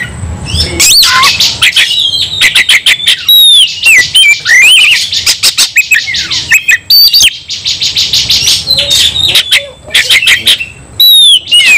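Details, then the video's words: Fighting white-rumped shama, locally kacer: long run of whistles, buzzy trills and fast repeated ticking notes, harsh bursts between phrases, continuous and intense. "kacer langsung KONSLET tarung ngotot full emotional"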